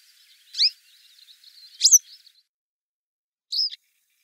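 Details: Grey wagtail on the river Lieser in 2017, giving three sharp, high, metallic call notes spaced over about three seconds, with a faint thin buzzing running beneath the first two.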